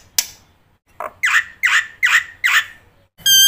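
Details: Black-winged myna master song used to teach young mynas: four harsh, raspy squawks repeated about every 0.4 seconds, then a clean whistled tone at the end.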